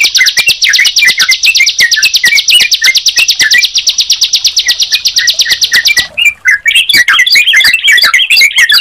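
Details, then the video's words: Sunda pied chat with yellow-vented bulbul: a long, even series of rapid high buzzy chirps with lower whistled slurs, then a sudden switch to looping, warbled rising and falling phrases. "Suara Ciblek Dan Trucukan Jika Dipertemukan"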